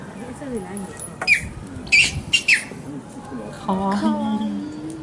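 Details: A King penguin chick, 110 days old, recorded on 17 November 2018, utters three or four sharp squeaky whistles in quick succession, with people talking softly in the background.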